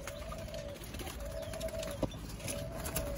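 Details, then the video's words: Spotted doves in Thailand, some of them young, 19 September 2023: three steady, mellow coo notes of about half a second each, evenly spaced, with a sharp click between and a continuous low background hum. "Thai spotted doves, some young"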